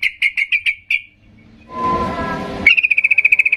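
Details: Sooty-headed bulbul gives short, clear whistled notes on one pitch, steady then a fast run of about fourteen, with a brief rush of noise between; an agitated singing bird used to provoke silent bulbuls into answering.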